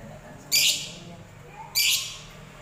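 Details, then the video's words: Lovebird of fighter type uttering two harsh, broadband, rasping screeches about a second apart, each lasting around a quarter second, against a low background hum. "Love Bird Fighter"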